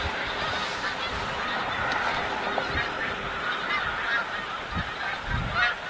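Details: Migrating flock of snow geese at Montmagny, continuous overlapping honks and yapping calls from many birds, with low thuds and a louder burst of calling toward the end.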